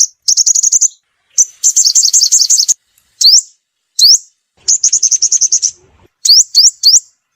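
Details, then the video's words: Sunbird calling, a call used as a lure to draw birds in for trapping; very high rapid chittering trills alternate with sharp rising upslurred notes, separated by brief silences. "Tiếng chim hút mật mồi gọi bổi"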